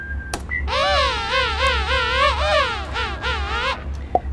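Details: King penguin male at Gold Harbour on South Georgia giving a call arranged as a-a-b syllables, which marks it as male: a long, vibrating brassy trumpet with wavering harmonic bands in a few connected phrases, distant colony calls behind.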